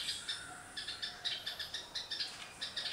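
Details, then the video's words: A Red-whiskered bulbul (Pycnonotus jocosus) sings a run of bright, chirpy notes, roughly four or five a second, over a steady high hiss of background birds or insects. "Red-whiskered Bulbul bird singing"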